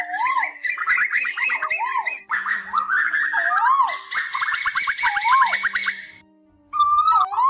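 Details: Asian koel, male and female calling, used to lure migrating birds into night nets in August 2024: repeated rising two-part whistles about every one and a half seconds, overlaid with fast excited bubbling series, plus steady low electronic tones and a short gap near the end.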